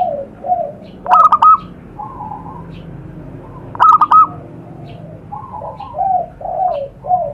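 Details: Zebra dove, wild, recorded outdoors in Indonesia as a lure sound: soft lower coos, two loud stuttering bubbly coo phrases about three seconds apart, then a series of rounded softer coos.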